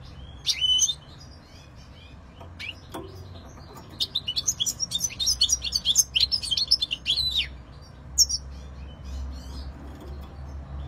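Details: Goldfinch giving a brief twitter, then after a pause a long run of rapid, high tinkling notes and buzzy trills, ending with a short final chirp; faint low hum beneath.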